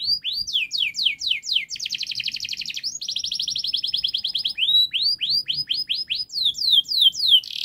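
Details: Canary delivering a long, fast model song for training young birds: repeated descending swept notes, a rapid buzzy trill, more rolled trills, then rising whistled slurs, high and continuous.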